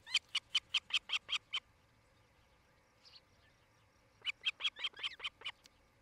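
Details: Nest-camera recording of an osprey near Charlo, Montana, on 8 July 2018 in late afternoon: eight crisp, high whistled chirps in quick even succession, a pause of over two seconds, then another similar rapid series.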